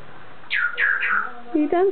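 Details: Pet African grey parrot chatting while perched on top of its cage: a run of quick, falling, whistle-like speech syllables followed by two lower, rising voiced sounds, indoors.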